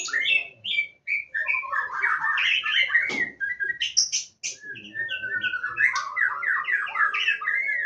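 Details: Wild white-rumped shama singing live in Indonesia: a rich, continuous, varied song of quick whistled and chattering phrases, sweeping notes and sharp high bursts, with faint low background noise throughout.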